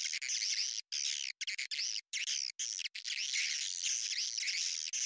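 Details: Swiftlet sounds played as a lure for a nesting house: loud, dense, overlapping high twittering with wavering whistled notes, broken by a few short silent gaps.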